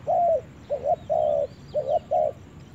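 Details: Spotted dove on its first trip to the forest, cooing in a loose sequence of warm mid-pitched notes, some doubled, some drawn out and flat, with faint thin chirping in the background.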